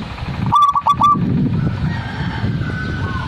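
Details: Zebra dove song: one short cooing phrase of three or four quick, clipped notes near the middle, over a steady low rumble of background noise.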